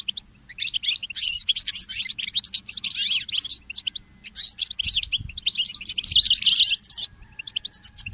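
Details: Mule goldfinch song at early morning: long, dense twittering phrases of high trills and chirps, two main outbursts separated by a brief lull, faint low hum underneath.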